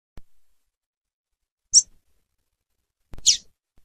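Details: ['Calls of a female double-collared seedeater of the tui tui type: two crisp, very high short notes about one and a half seconds apart, with light tapping noises.']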